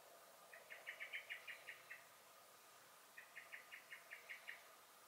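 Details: Garden blackbird (Turdus merula), recorded 23 May 2021, sounding the alarm with two rattling bursts of about eight sharp, even chinks separated by a short pause.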